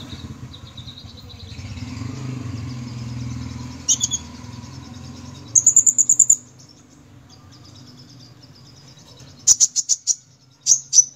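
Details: Sunbird singing actively; sharp, very high chips come in short bursts of three to five, with a thin high trill between them, separated by quiet stretches, over a low humming background.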